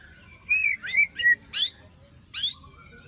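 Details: White-rumped shama song used as a lure for a bird that stopped singing after moulting: clear whistled notes, some sliding up and others down, mixed with sharp high chips, about five phrases in three seconds.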